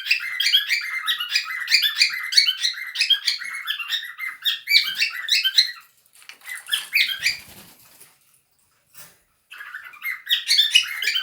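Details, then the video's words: Cockatiels at play together produce rapid, overlapping chirps and squeaks in a steady busy stream, then thinner scattered notes, a short lull, and a final burst of chattering. "Cockatiels playing together/ Papugi nimfy zabawa"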